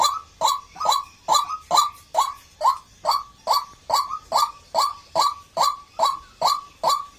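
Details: White-breasted waterhen call series: evenly spaced, loud, honking notes about every half second, each short and sharply started, with no other sounds.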